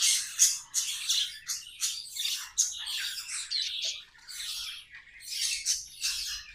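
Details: Pet budgerigars singing: dense scratchy, buzzy warbling chatter in rapid bursts about every half second, high-pitched and continuous, with squawky notes mixed in.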